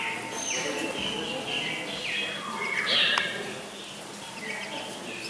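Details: In a German bird park aviary at Walsrode, lesser whistling ducks with chicks utter repeated short downward-slurred whistles, several overlapping, then a brief sharper whistle, against a hissy ambient background.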